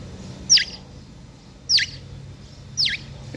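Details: A pet grey parrot mimicking a nearby nightingale it watches singing: three sharp high whistles, each sweeping steeply down, about a second apart over faint low hum.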